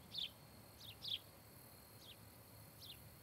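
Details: Osprey at a nest-camera site in Charlo, Montana, 26 July 2018, where a pair is nesting; five quick, high, downward-slurred chirps in an irregular run, the first and third loudest, against constant background hiss.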